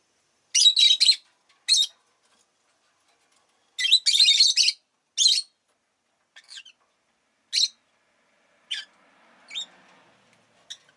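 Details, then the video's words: Several captive rosy-faced lovebirds, fairly vocal on this day, produce sharp, scratchy chirp clusters. Two long bursts of rapid chatter are followed by single shrill notes spaced a second or two apart across eleven seconds. "Lovebird Chirping Sounds"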